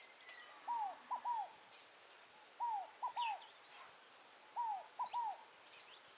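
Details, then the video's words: Wild Scaled Dove (rolinha fogo-apagou) singing near Tupi Paulista, São Paulo: three phrases about two seconds apart, each a longer low descending whistled coo followed by two shorter arched coos, with faint high chirps of other birds behind. "O canto da Rolinha fogo apagou"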